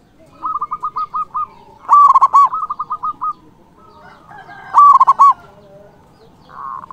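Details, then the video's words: Zebra dove, a local singer used to provoke rivals; runs of short clipped notes alternate with two loud cooing bursts, and a soft rolling coo follows at the end. "Perkutut lokal gacor Suara BESAR ampuh memanggil lawan BUNYI EMOSI manggung"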